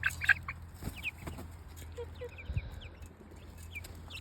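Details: Chicks giving scattered high cheeps, a few loud sharp peeps at the start, then sparser, softer slurred chirps with a couple of dull thumps and a low background hum.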